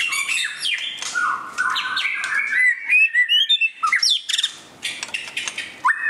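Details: White-rumped shama singing during display: a loud, varied run of clear whistled phrases, sliding notes and quick chattering bursts, with brief pauses between phrases.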